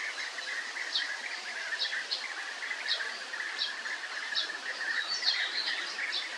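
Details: Several European bee-eaters keep up a continuous chatter of short burry notes, with sharp higher chips scattered through and steady background hiss.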